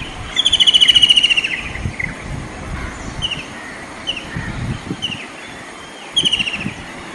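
A White-throated Kingfisher gives a loud, shrill rattling trill of rapid notes, falling slightly, then repeats it after a pause; softer chirps and faint traffic hum between.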